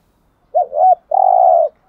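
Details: Spotted dove cooing for stimulating captive males, 'hạp' voice: one phrase made of a rising, wavering two-part coo and then a long, even, mellow low hoot, in quiet surroundings.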